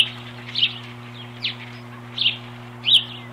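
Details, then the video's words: Two ospreys defend their nest against an intruder, 21 April 2015: four short, sharp, high-pitched chirps spaced roughly 0.7 seconds apart over a steady low electrical hum. "Osprey Drama, Heiko and Harriet Defend The Nest"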